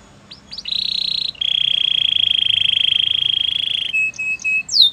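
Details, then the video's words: Canary song meant to encourage other canaries to sing: a brief chip, then a long, steady, fast trill held for about three seconds, dropping to a lower trill and ending in short rising whistles. "Special canaries to seduce all the canaries to make them sing"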